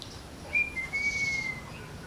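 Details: A parrot sends out one long, smooth whistle that holds a steady pitch and slides gently downward at the end, over faint background hiss.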